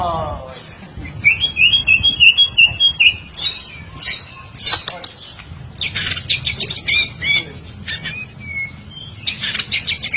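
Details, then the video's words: White-rumped shama song used as a training song for other birds: a rapid run of clear whistled notes near the start, then loud chattering and scratchy bursts, with voices and background noise. "kicauan murai batu Miwah masteran burung"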